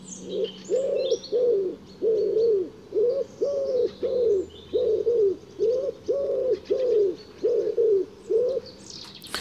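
A wood pigeon's deep, husky cooing: a steady run of soft, hollow hoots in five-syllable phrases, with faint twittering of small birds behind.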